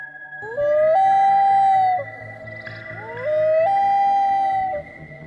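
Two long, mournful wails from a loon, each sliding up and then holding a steady note for about a second, over a faint musical drone.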